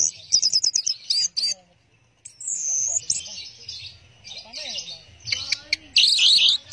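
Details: Orange-headed thrush singing in the teler style: a fast, rambling medley of high chirps, trills and clear whistled notes, with short silent breaks and a burst of sweeping, rapid phrases at the end.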